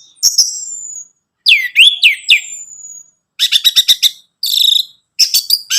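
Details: Orange-headed thrush (Anis Merah) song played to stimulate a captive bird to sing: varied high whistled phrases, a long thin descending whistle, then rapid stuttering trill bursts and harsh chattering notes, with short silent gaps.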